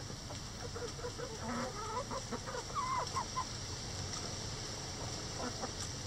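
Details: Backyard chickens busy with a cabbage ball hung in their run; a quick burst of soft, wavering, rising-and-falling clucks and trills in the first half, then quieter ticks of pecking against a constant background hum.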